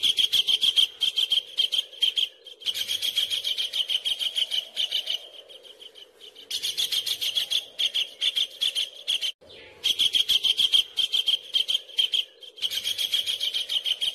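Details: Kingfisher recorded for tutoring caged songbirds: rattling strings of sharp, high notes delivered rapidly in bursts of several seconds, separated by short silent breaks, with a gentle background drone throughout.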